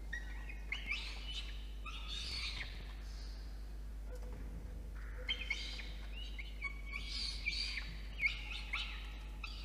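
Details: Nest-box camera on a water tower in Orange, New South Wales, 8:56 PM, 5 November 2021: a peregrine falcon chick begs as the adult male delivers food, uttering repeated harsh, high, quavering screams with brief gaps.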